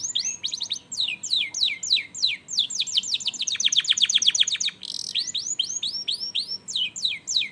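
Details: Canary lure song meant to prompt other canaries to sing: rapid trills of bright, steeply falling high notes, a fast even rattle of repeated notes in the middle, then more looping sweeps, continuous and loud.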